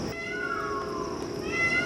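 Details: An Indian peacock's cry, answered from other parts of the forest: a loud, nasal wail sliding downward over about a second, a second cry beginning just after, over a steady high hiss.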